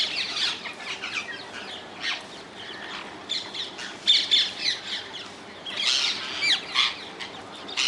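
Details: Wild rose-ringed (Indian ringneck) parakeets in the Netherlands give harsh, shrill screeches and squawks, many overlapping in a noisy chorus, with quieter chatter between louder bursts.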